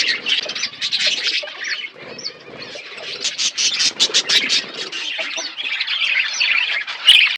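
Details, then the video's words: Outdoor aviary budgerigars chirping while eating, a busy mix of grating warbles, quick squawks and a few thin rising whistles, briefly quieter near the middle before the chatter swells again. "Budgies parakeet eating food in outdoor aviary birds chirping sound"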